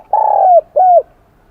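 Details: Spotted dove with a 'kim đồng' high bell voice, wild-caught, giving a long slightly falling coo followed by a shorter arched coo, both clear and ringing.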